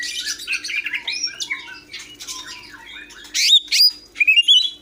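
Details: Greater green leafbird singing a rapid jumble of squeaky, chattering notes and short slurs, ending with loud, clear rising whistles; a steady low hum underneath.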